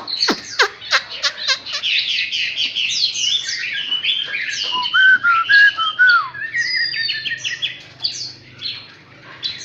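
A Chinese hwamei sings a loud, rich, fast-changing song of chattering notes, sharp downslurs and clear slurred whistles, with no pause across ten seconds.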